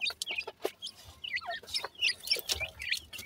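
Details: Black francolin chicks, captive young birds, uttering rapid high-pitched chirps and short squeaks, irregular and overlapping, about three to four notes per second, with faint clicks in the background.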